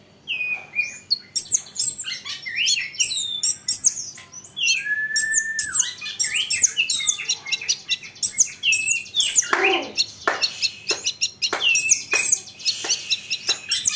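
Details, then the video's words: Olive-backed sunbird singing to draw answers from other sunbirds: a dense, lively stream of high twittering, curling notes and one sustained whistle, ending in a run of sharp clicking chips. "Isian Kolibri Ninja, Dengar ini konin lain pasti nyahut gacor doooorrrr"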